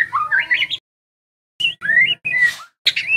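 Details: White-rumped shama of the trotol type, song for training caged birds: rising whistled trills followed by short upward-slurred whistles, phrases separated by a near one-second gap.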